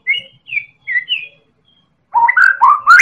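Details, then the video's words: White-rumped shama, Medan type, singing to draw other birds into song: four clear, high whistled notes in quick succession, a pause, then a louder run of rich, warbling, rising phrases. "Pancingan Burung Murai Batu Medan Super Gacor Elit Juara"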